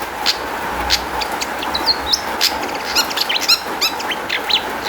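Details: Long-tailed shrike song as a lure for other shrikes: busy mix of sharp clicks, short whistled slurs and rapid rasping note series, building toward the end, over steady hiss.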